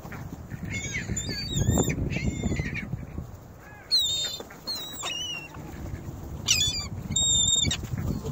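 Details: Ring-billed gulls crowding over scattered bread and crackers at North Lakes, captured on a phone placed in the flock: repeated squealing, harmonic-rich cries in short clusters over steady low murmur and handling noise.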